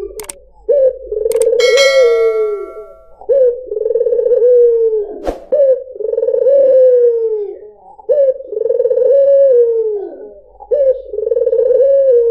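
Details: White dove (puter putih), used as a lure for other birds; repeated cooing phrases, each a rolling, pulsing coo that settles into a long, slightly falling tone, about every two and a half seconds, with brief sharp clicks near the start.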